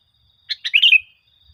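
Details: A single lively phrase from a sooty-headed bulbul, used as lure song to prompt caged birds to sing. Two clipped opening notes lead into a rolling, liquid warble that trails off downward.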